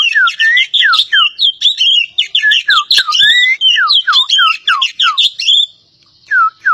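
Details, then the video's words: Javan pied starling from Java pouring out a continuous stream of downslurred whistles and harsh chattering notes, several per second, ending after a short pause with one more whistle. "BURUNG KACER POCI JAWA"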